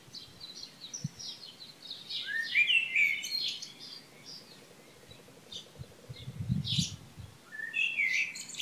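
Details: On the morning of 3 June 2015 in Šilo, Krk, Croatia, birds sing in bursts of chirps and rising whistled phrases, separated by quieter spells with low rumbling noise.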